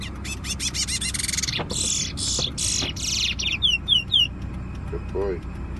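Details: Competition bullfinch song on the way to Preysal. A rapid stuttering chatter runs into loud buzzy, grating phrases, then four sharp clear whistles. Low hum and voices sit underneath.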